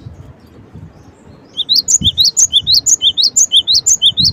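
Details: After a quiet start, a cinereous tit breaks into a loud, quick string of paired whistles, low then rising high, repeated evenly to the end.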